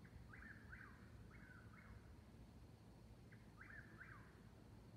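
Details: Eastern whip-poor-wills counter-singing at night, 19 May 2021, 22:42, near Davis Creek Road in Seneca, South Carolina, 69 °F. Two bursts of rapid whistled phrases with a rising start and a dropping end, separated by a pause, over steady low background noise.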